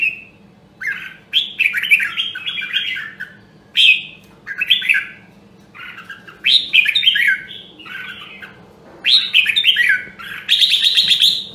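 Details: Red-whiskered bulbul of the Nam Đông, Huế voice type, for training birds to sing: lively rolling whistled phrases, about five bursts separated by silences, with a soft low hum underneath.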